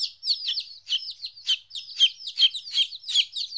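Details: Fourteen-day-old chicken chicks, apart from their mother for the first time, peep steadily: high, shrill, downward-sliding notes, several chicks overlapping, about two or three peeps every second.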